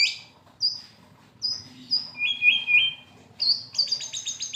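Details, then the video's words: White-rumped shama during moult, a fighter-type bird giving kretekan: separated clear high whistled notes, a trio of repeated falling whistles, then a rapid run of sharp ringing notes at the end. "kretekan murai mabung fighter tembak LB"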